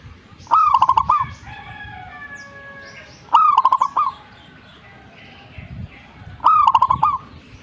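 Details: Lively song of a zebra dove, three rolling coo phrases, each opening with an upward-swept note and dissolving into quick staccato pulses, with clicks. Faint steady whistles from another bird run through the gaps.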